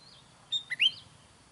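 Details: A faint whistled slur leads into a sooty-headed bulbul phrase, used to attract wild bulbuls. The phrase has a sharp chip, a brief dip and a louder rising-then-falling whistled note. Light background hiss.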